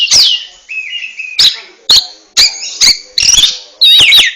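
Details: Short ngentrok passage from a kacer (oriental magpie-robin): a wavering whistle, then a series of loud, abrupt click-and-chirp bursts about every half second, ending in a bright twisting whistle.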